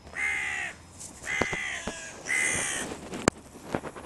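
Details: Spring mating season, with crows energetically guarding breeding grounds: three loud, evenly spaced raspy caws about a second apart, each flat and nasal, interspersed with sharp clicks and knocks.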